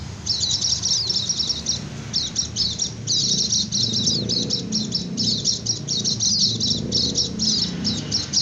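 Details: Sustained high white-eye twittering meant to lure wild birds and stir lazy singers: fast chattering phrases repeated about twenty times a minute, separated by short pauses, over a soft low rumble.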